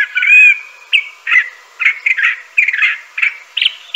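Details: Crissal thrasher song, somewhat muffled: a slurred whistled opening, then a string of short, rough chirped phrases spaced roughly every third of a second.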